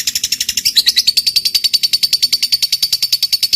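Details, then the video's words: Lovebird fighter chattering in a long ngekek meant to set silent lovebirds singing: a fast, even rattle of high, piercing notes that steadies into a sharper, thinner tone after the first moment. "Suara Burung Lovebird Ngekek Panjang"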